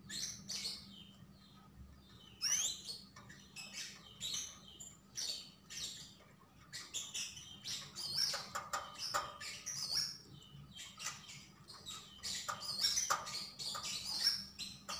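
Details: Javan grey-throated white-eye (sogon, sogok ontong) singing vigorously ('gacor'): faint, dense run of high chirps and short twittering notes, rather quiet against a low steady hum.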